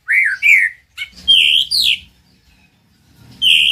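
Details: Male white-rumped shama master song for stirring a quiet bird to sing: loud slurred whistles rising and falling, a few short bursts, a brief pause, then another bright whistle.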